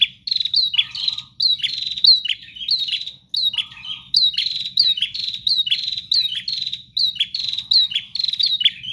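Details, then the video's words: ['Bar-winged prinia singing hard and continuously: clusters of loud, high, sharply falling notes repeated rapidly, with two low buzzy interjections early on and a constant faint low hum behind.'] "Prenjak GACOR Ngotot Full Durasi Tanpa Jeda"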